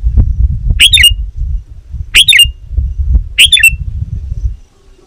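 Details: Sooty-headed bulbul calling rivals, used to lure wild birds: three short harsh chattering bursts, each a quick cluster of sharp notes, about 1.3 seconds apart, over a steady low rumbling background noise.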